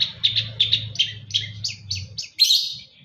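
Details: A Long-tailed shrike, East Java, sings a string of about eight evenly paced chirping notes that slowly drop in pitch, ending in a louder rasping squeal, over a low continuous hum.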